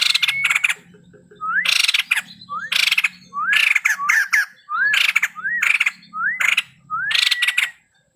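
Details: Male white-crested laughingthrush singing a long series of phrases, each an S-shaped rising whistle followed by a burst of harsh chattering, about eight in a row with short pauses, over a low hum.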